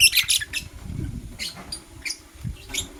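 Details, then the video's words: Morning chirps from a blue opaline lovebird: quick harsh high notes clustered at the start, then scattered single squeaky chirps over a low background rumble. "Lovebird Chirping Sounds - LoveBird Sings"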